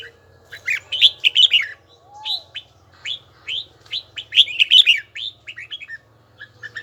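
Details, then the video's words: Voice-training song of a red-whiskered bulbul, bell-like in tone and evenly paced. Two bursts of rapid warbled whistles are separated by spaced, downslurred single notes, with a quiet low hum beneath. "Chào mào luyện giọng hay nhất ||Nghe mãi không chán|| Tông giọng chuông đều chuẩn đúng nhịpnhất"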